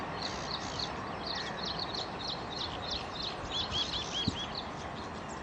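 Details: Pied bushchat, male and female, giving short high chirps and twittering notes in quick succession, ending in a run of clear upslurred whistles, over steady outdoor background hiss.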